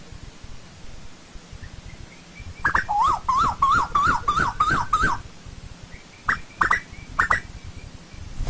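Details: Asian koel in old-growth forest: a rapid run of about seven rising whistled notes, close together and slightly climbing in pitch. A few separate sharp notes follow after a pause.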